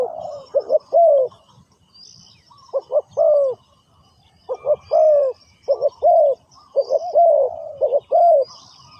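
Spotted dove giving soft, low, slightly hoarse coos in short phrases of two to four notes, each phrase a few seconds apart, over quiet background.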